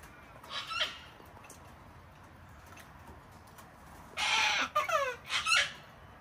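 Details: Flock of wild cockatoos hand-fed on a home deck in Australia during cold, wet winter weather; a brief squawk early, then a loud raspy screech followed by a quick series of stacked, falling squawks.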